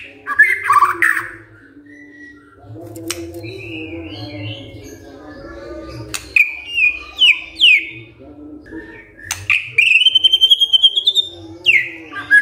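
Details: White-rumped shama bursting into loud song after hearing a lure recording: varied clear whistled phrases, sliding notes and a quick run of repeated high notes near the end, with a steady low hum underneath.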